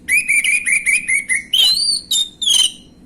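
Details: Gamblingan-style lure song of an orange-headed thrush, meant to make untrained birds answer: a fast run of about seven clear whistled notes, then higher rising and slurred whistles.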